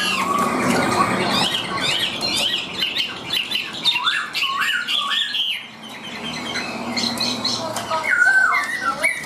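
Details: Tame caged Chinese hwamei singing in hand: loud, rich whistled phrases with rapid slurs and looping notes, a quieter pause midway, then strong descending whistles, with some background rustling.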